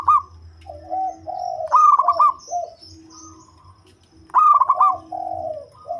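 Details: Local zebra dove with a deep voice, used as a lure bird, sings rapid cooing phrases twice. These are interspersed with lower, drawn-out coos and faint high chirps in the background.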